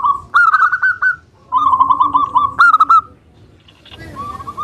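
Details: Local zebra dove in Indonesia singing in full voice for use as a lure: a loud rolling coo phrase, a second long trilled phrase, then an accented burst, fading to a softer coo at the end.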